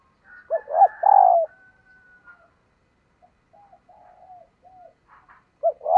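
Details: Female dove's luring call aimed at males: one phrase of mellow, throaty coos ending in a longer downward-slurred note, then scattered faint notes, and the next phrase starting just before the end.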